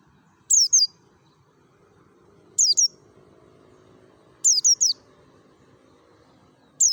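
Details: Mountain white-eye, Merapi, wild forest-style lure for prompting other white-eyes to sing: doubled high, thin chirps falling in pitch, given roughly every two seconds against a soft murmuring background.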